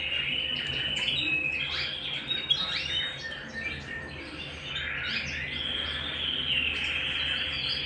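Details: Canary singing at home, a continuous high warbling song of rapid chirps, trills and sliding whistled notes, with a steady sustained tone running beneath; a faint low electrical hum sits under the singing.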